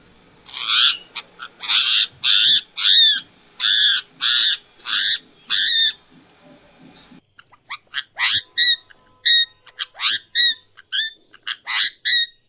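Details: Indian ringneck parrot giving its natural, unfiltered voice: two runs of loud, harsh, ringing squawks, each note short and repeated about every half second, with a brief pause between the runs. No music or other sounds.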